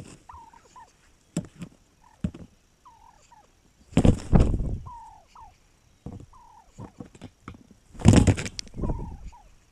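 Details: Wild turkey on May 7, 2021: loud, rough rattling gobbles burst out around four and eight seconds, with short descending yelp-like notes repeated roughly once a second in between.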